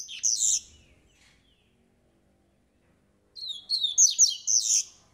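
A black-collared seedeater sings a brief high burst, pauses about three seconds, then delivers a longer run of sharp, rapid chirps and warbled notes.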